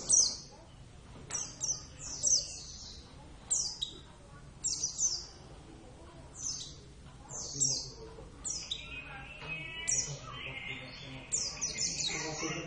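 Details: Pet Javan Oriental white-eye (Zosterops palpebrosus javanus) singing steadily: repeated bursts of piercing high whistles sliding downward, roughly every second, later joined by a buzzy twittering passage, against a quiet low hum.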